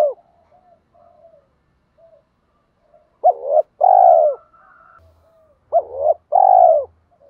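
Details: Spotted dove calling to draw wild doves in: quiet low coos at first, then two loud phrases about three seconds apart, each a short upswept note followed by a long even coo.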